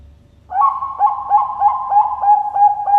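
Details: Zebra dove (Bangkok perkutut) from a bird farm in Sidoarjo, East Java, Indonesia, gives a steady, mellow cooing trill with a soft rolling pulse about three times a second, with only faint low background hum.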